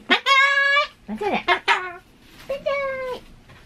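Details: Pet Ducorps's cockatoo indoors, chattering in replies and greetings such as "hai" and "konnichiwa" (hello). Loud, rough, nasal voice holds drawn-out tonal syllables, with a short break between phrases.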